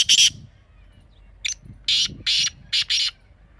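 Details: Teetar partridge giving harsh, scratchy call notes: one loud burst, a pause, then a short faint note and four more rasping bursts in an uneven run.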